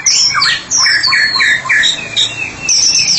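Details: White-rumped shama in ngeplong song, a therapy-specialist singer, with a run of descending whistled slurs repeated about five times, then high thin whistles and twittering.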